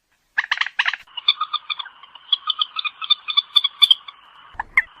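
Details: White-breasted waterhen lure call for night netting: a few harsh broadband bursts, then a long run of rapid clucking notes with a steady high overtone, repeated several times a second, ending in a short low thump.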